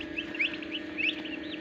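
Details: Turkey chicks beginning to hatch in an incubator at a turkey farm in Darrang, Assam. Two quick pairs of high, rising peeps stand out from softer chirping, over a steady incubator hum.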